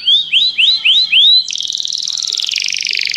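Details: Canary in song training calling a friend to sing: five rising whistled notes in quick succession, followed by a dense, loud, buzzy rolling trill.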